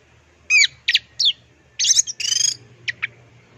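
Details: Orange-headed thrush, kept as a song bird for mimicry training, giving short bright phrases: sharp downslurred whistles and chirps, a scratchy buzzy burst, then two quick high notes, with pauses between, over faint low hum.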